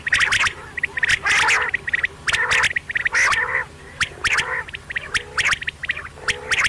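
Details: Night-time quail calls: a run of raspy, buzzy harmonic notes broken by crisp clicks, coming in uneven bursts through the recording.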